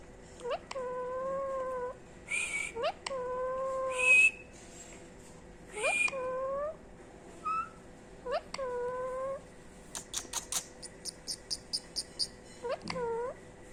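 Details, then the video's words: A pet female ring-necked parakeet, three years old, says "Mitho" over and over. Nasal, level-toned word phrases come every couple of seconds, broken by shrill squeaks. Near the end there is a fast series of sharp clicks, about eight in a row. "Parrot talking | Green ring neck parrot"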